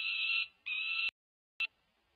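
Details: Peregrine falcon chicks over five weeks old begging at a UC Berkeley nest feeding, 18 May 2023; two short harsh screams followed by a single clipped squawk, then quiet.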